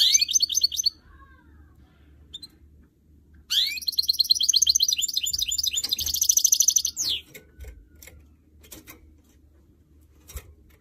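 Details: Hybrid canary-goldfinch mule in song training: brief high twittering, then a long loud phrase of fast, chattering and rising notes lasting about four seconds, followed by scattered clicks.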